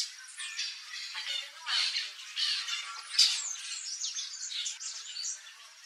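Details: Wild turquoise-fronted amazon in its natural Brazilian habitat of woodland and savanna, giving harsh, raspy squawks in an irregular run of overlapping bursts, several strong notes near the middle, with a steady noisy wash throughout.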